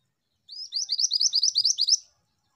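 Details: Female bird singing a quick, high, even series of about twelve bright chirping notes delivered in steady rhythm, with a quiet background.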